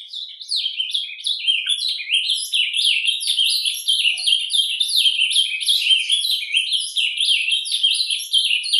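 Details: A captive ultramarine grosbeak (azulão) sings its quiet 'surdina' song, used to warm up other males: a soft, continuous twittering warble of quick, high, down-slurred notes running without pause throughout.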